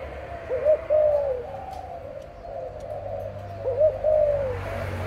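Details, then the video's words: Breeding-pair parent dove repeating its coo twice, about three seconds apart: a short lifted note and then a smooth, gently descending hoot. Faint continuous hum and low rumble behind. "BỐ MẸ CHIM 🐦 CU"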